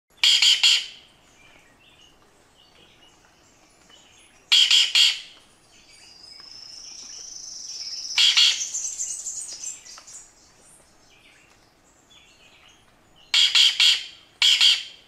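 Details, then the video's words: Green Jay gives harsh, buzzy rasping calls in short bursts of two or three, spaced several seconds apart, with a thin rising whistle between them. "GREEN JAY"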